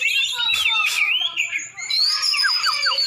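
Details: From Aceh, Indonesia, a champion Oriental magpie-robin sings clear, sustained high whistles, followed by a quick series of downslurred notes.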